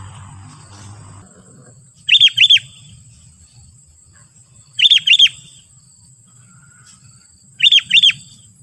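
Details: Calls of a sooty-headed bulbul meant to provoke wild bulbuls: three evenly spaced bursts, each a pair of sharp, bright notes about three seconds apart, over a low hum.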